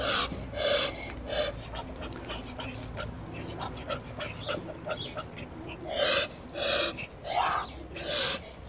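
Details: Muscovy drakes of the chocolate variety, German exhibition line, at a breeding farm: loud, breathy, noisy bursts repeated roughly once a second, with softer rustling between them.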